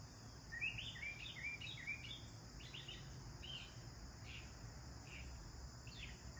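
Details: Sparrows chirping while bathing: a quick cluster of short, bright chirps early on, then single chirps spaced about a second apart, over a steady low rumble and hiss.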